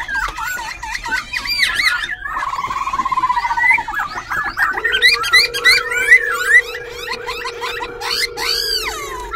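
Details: Caged white-cheeked laughingthrush perched at Tân Túc, Bình Chánh, Ho Chi Minh City, singing while dancing with tail and wings and switching voices continuously: dense, rapid whistled and warbled phrases, with a steady low hum beneath.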